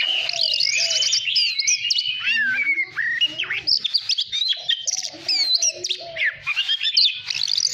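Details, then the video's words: White-rumped shama kept as a cage bird, singing to stimulate contest song; an unbroken flow of rich whistles, quick rising and falling slurs, trills and low soft warbles. "Chòe than hót hay /luyện giọng /ép giọng chuẩn /kích chim hót đấu hiểu quả"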